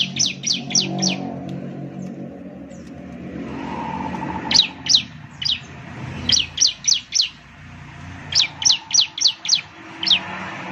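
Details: Ciblek (Bar-winged Prinia) lure song, meant to make birds start singing vigorously: fast chirping bursts of three to six high notes, repeated over a steady background rumble of passing traffic.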